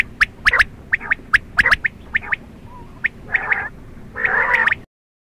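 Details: Quail heard at night: a fast sequence of crisp, sharp high notes in small groups, then two longer buzzy, rasping bursts before the sound cuts off abruptly.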